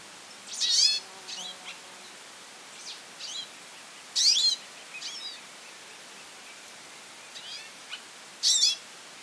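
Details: Goldfinch calling a lot: loud, high buzzy bursts of rapid twittering roughly every four seconds, with softer thin chirps and short notes between them, over faint steady background hiss.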